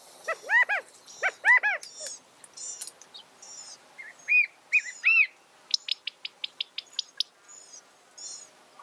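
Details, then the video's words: California quail giving loud arched, harmonic-rich call notes in quick pairs and threes, mixed with sharp high chirps and thin whistled notes from other birds in a quiet setting. "California Quail Bird Sound, Bird Song, Bird Call, Bird Calling, Chirps"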